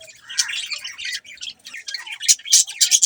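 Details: Budgerigars chirping, a dense run of high, scratchy chatter and squawky notes with bright sharp clicks, the voices overlapping in quick irregular bursts that grow louder toward the end.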